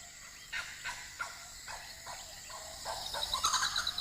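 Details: Blue-winged kookaburras at Kakadu, far northern Australia, in a territorial border display: a young bird joins his parents answering a neighbouring group's nest-hollow display with harsh, raspy barks about three a second, growing into a louder cackling chorus.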